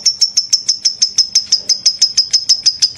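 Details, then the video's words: Lovebird ngekek, said to be lively and suited for tutoring other birds: evenly spaced, piercing high notes, about five per second, repeated steadily throughout. "Ngekek makin gacor love bird"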